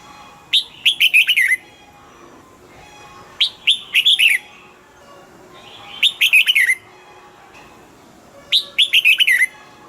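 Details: Caged red-whiskered bulbul singing short bright phrases of quick descending whistled notes, each burst about one second long and repeated roughly every two and a half seconds, with quiet pauses between.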